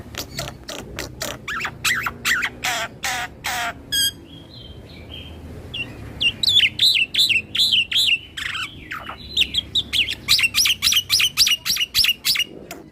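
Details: Nodding black-winged starling in continuous rolling song said to agitate other starlings: harsh rasping notes repeated rapidly, then a stretch of varied whistles followed by quick bouncing whistled phrases and loud chattering strokes.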